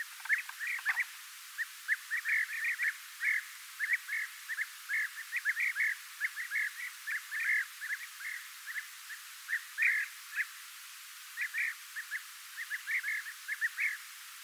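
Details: European bee-eater, also called golden bee-eater: a steady stream of short, liquid rolling chirps around the same mid pitch, given in quick bursts and clusters throughout, with a faint low thump near the start.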